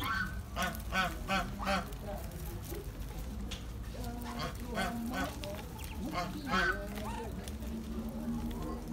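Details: Ducklings calling with repeated harmonic, nasal honking notes in quick bursts, about two to three per second, pausing midway then resuming; a human voice talks in the background.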